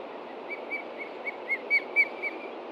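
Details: Alarmed osprey at its Montana nest, morning of 30 June 2013, reacting to a ground threat with chicks in the nest: sharp whistled chirps, starting soft and growing louder, roughly four per second, over a faint hiss.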